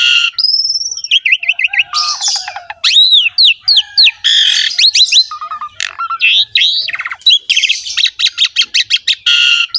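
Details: Asian pied starling in full song for training a bird that will not sing: a dense, varied stream of rising and falling whistles, chattering clicks and rasping notes, nearly continuous for ten seconds.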